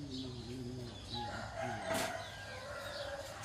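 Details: Rooster crowing in the morning: low, stacked harmonic calls wavering at the start give way to a brighter drawn-out crow, over a steady low hum and faint chirps of small birds.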